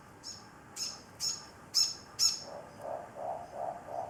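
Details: Adult Morepork sitting beside a container holding an injured young Morepork awaiting treatment for a broken wing, calling to it continuously. Five sharp high chirps spaced about half a second apart give way to a series of soft, low, muffled hoots.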